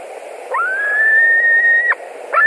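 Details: One long, steady whistle rising slightly then holding level before falling away sharply, from white-tailed eagles at a nest in Latvia on a July 2020 evening, 21:09, with a bird returning for dinner; low hum underneath.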